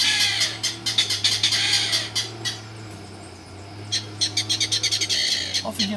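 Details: Mangrove rail (Rallus longirostris) at Peruíbe, Brazil, on 13 July, answering a guide's calling, gives a harsh, dry clattering series of kek notes in two bursts, about four per second, over a steady low hum and faint voices.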